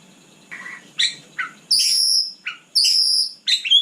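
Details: White-rumped shama singing at night, a few short notes followed by two long, high, pure whistles with brief pauses between.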